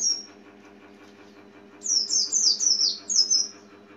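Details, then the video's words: White-eye, locally pleci or kacamata, a small yellowish-green bird, giving a brief high note and then one rapid burst of bright descending chirps near the end, over a constant low droning hum. "Kicau Burung Kacamata"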